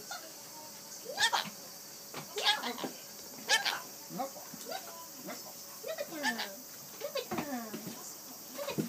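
A rainbow lorikeet mimics human speech, saying the Japanese peekaboo phrase in short, squeaky, sliding syllables, with a steady hiss behind.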